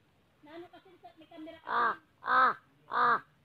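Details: Slender-billed crow giving three loud, nasal, harmonic caws about half a second apart, after a run of softer, lower chattering notes.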